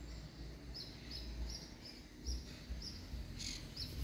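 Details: A Pale-breasted Thrush with three chicks gives short, thin, high chirps, two or three a second, over a steady low rumble of background noise.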